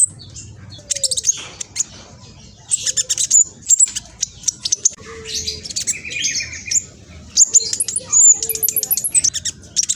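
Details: Very active speckled black sunbird used as a lure for other birds, pouring out rapid, high, thin twittering in repeated bursts, with squeaky whistles and clicky notes throughout.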